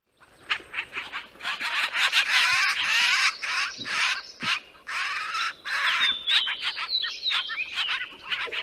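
A Canada Jay gives a varied run of harsh, chattering and squeaky calls, some clear whistled notes near the end, in quick irregular bursts.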